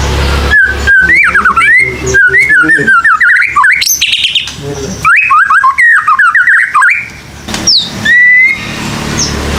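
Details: White-rumped shama singing as a lure for young birds, meant to encourage them to sing: long rich runs of fast warbled whistles, rising and falling, with short pauses and a brief high buzzy burst midway.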